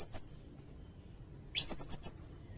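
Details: Sirindet song for training songbirds: a short high buzzy note, a second of quiet, then a rapid string of shrill trilled notes fading out.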